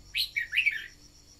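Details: Red-whiskered bulbul decoy song for urging newly caught birds to sing. A lively two-part warbled phrase of bright, slurred notes is set against a faint, steady insect buzz.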